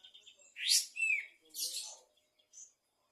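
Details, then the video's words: Afternoon song of a kapas tembak bulbul in full voice: a rising whistled sweep, a downslurred note, then a buzzy high burst and one short final chirp. "Burung Kapas tembak gacor di sore hari"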